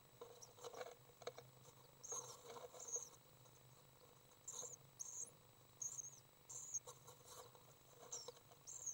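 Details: Three young common swifts during a feeding session on May 30th 2012. The recording carries faint, brief, high-pitched chirps in scattered bursts of two or three, over low background hum.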